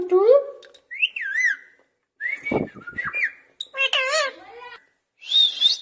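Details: Caged talking parrot mixing a low whining meow imitation with looping whistles, raspy clicks and a wavering harmonic cry, closing on a thin high warble, indoors.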